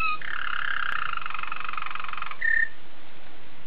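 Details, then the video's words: Belgian Waterslager canary singing a continuous rolled, bubbling tour held for about two seconds, followed after a short pause by a single clear whistled note. "Watarslager Canary Song Analysis - 金丝雀"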